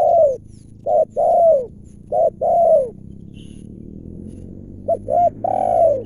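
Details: Spotted dove, a wild bird with a big, deep and clear voice, calling in its original habitat while being lured by a decoy. Soft hooting phrases of a brief coo then a longer falling coo, repeated three times with a pause.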